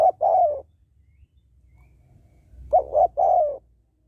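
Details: Female spotted dove giving its call to stir up males, used as a lure. Cooing phrase heard twice: a short note then a longer falling coo, followed after a pause by two short hoots and a long drawn coo.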